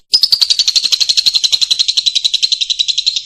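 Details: Lovebird from a long-duration tutor recording: a continuous fast trill of evenly repeated high, buzzy notes, about four per second... rather, rapid pulses throughout, slowly dropping slightly in pitch.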